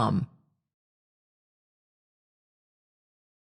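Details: One brief low thump at the very start, followed by silence for the rest of the recording.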